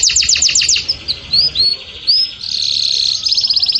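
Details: Canary singing in breeding excitement, a song meant to stimulate mating: a fast high trill of repeated notes, then separate upswept whistles, then a steady buzzy roll.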